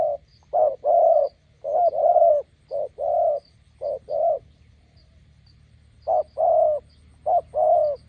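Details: A roadside decoy spotted dove meets a wild bird and coos steadily. Mellow, throaty two-part phrases, a brief note then a longer one, repeat about once a second, with a pause midway and a faint background hum.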